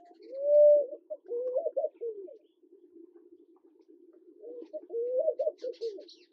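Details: Namaqua dove in Kenya giving low, mellow hooting calls: a smooth drawn-out hoo with a slight rise, then short wavering notes, repeated after a pause of about three seconds over a steady low hum.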